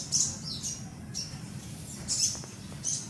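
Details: Young sun conure chick uttering four sharp, very high squeaky chirps, each brief and piercing, separated by short pauses, with a low background rumble.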